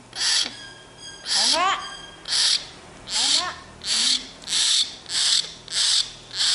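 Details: Young common hill myna, tame and sulking for bread, alternates rough noisy rasps with a few sliding, rising whistled notes early on, about eight bursts in all.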